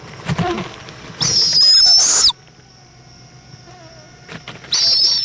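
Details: Florida owl nest in Indiantown, evening of February 11, 2014, mother bringing a bug to the chick: a loud, breathy hissing screech lasting about a second, then a quiet gap before another starts.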